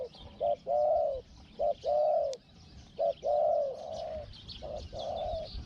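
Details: Caged Spotted dove decoy in a luring session with a wild bird, voice described as small, 'hong-hong' style. Clear, mellow, low coo phrases: a brief clipped note, then a longer wavering coo, repeated about every two seconds.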